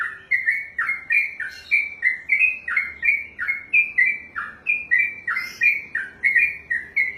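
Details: Long continuous 'ropelan' song from a contest-trained sooty-headed bulbul: a rapid, unbroken series of chirpy slurred notes alternating low and high, rolling on evenly for over seven seconds.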